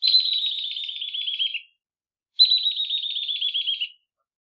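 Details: Spectacled weaver (Ploceus ocularis), a Southern African bird, gives two high, rapid trilled phrases, each about one and a half seconds long, sliding gently downward, with a short pause between them.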